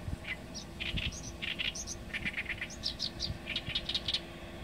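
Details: Oriental reed warbler singing: a harsh, chattering run of short repeated notes, low chacks alternating with higher squeaky syllables, grouped in quick pairs and triplets, with low rumbling background noise throughout.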